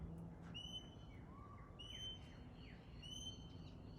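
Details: Pale-headed rosella: clear, high, piping whistles held briefly with a bright ring, repeated about every 1.2 seconds. A lower, rising whistle and short downslurred notes sit between them, over a low background rumble.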